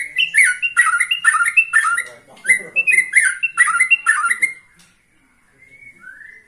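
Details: Still-spirited white-rumped shama, 21 years old: loud repeated phrases of bright whistled notes with sharp high ticks, about two per second, then a quieter pause and a soft rising whistle at the end.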